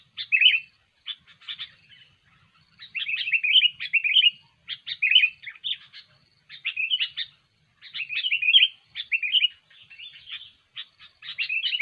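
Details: A kutilang (sooty-headed bulbul) delivers lure song for trapping: clusters of quick, slurred, fluty chirps alternating with short silences, phrases repeated again and again.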